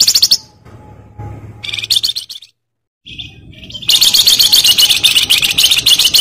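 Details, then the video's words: Flamboyan bird singing: bursts of high, dense, rapid chattering and twittering, broken by a short silent gap, then a long loud continuous run of fast, scratchy high notes. "Suara Bagus Rawatan Bagus / Burung Flamboyan"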